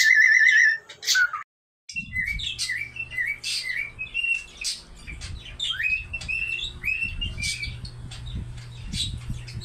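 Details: Pet cockatiel singing: a short burst of rising whistles, then a brief silence, then a run of clear whistled notes and warbling phrases climbing and falling, over a steady low hum and some rustling.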